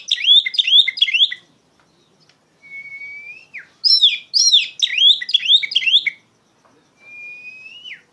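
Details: Oriental magpie-robin loudly singing to lure and train young songbirds: fast runs of cascading whistles broken by long, smooth, rising whistled notes.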